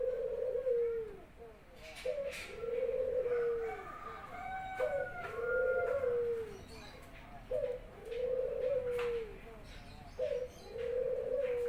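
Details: Home-kept Barbary dove singing energetically to greet its owner returning from work. Five low rolling coos repeat steadily, each a clipped note then a drawn falling coo, with faint higher whistled notes from another bird midway.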